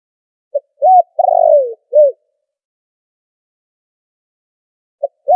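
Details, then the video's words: Spotted dove lure call used for trapping, noise-filtered: a short note, a rounded coo, a long wavering coo sliding down, then a closing coo, followed after a pause by the start of the next phrase; nothing else heard. "Tiếng chim cu gáy chuẩn kích mồi đã lọc tạp âm | file mp3 cu gáy kích bổi"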